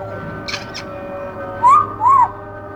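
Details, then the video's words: Male pet African grey parrot kept in a cage, sounding two clear arched whistled notes in quick succession after a couple of soft breathy sounds, over a low steady indoor hum. "kookoo the African Grey sounds"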